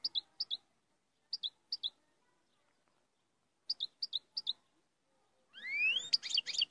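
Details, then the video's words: European goldfinch singing: short paired chirps in small groups separated by pauses, then a dense burst of bright, tinkling twitters with a rising slurred note at the end. "تغريد مقنين"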